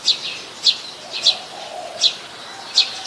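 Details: Brown-throated sunbird, Ubon Ratchathani, Thailand, January: five crisp high chips spaced about half a second to three-quarters of a second apart, over quiet background with a faint low murmur.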